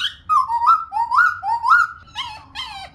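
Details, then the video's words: Female Black Laughingthrush song, used to stimulate males to sing: a run of rich, slurred whistles that rise and fall, about two each second, ending in brighter, higher notes. "khướu mun mái rò kích mộc và bổi mở mỏ"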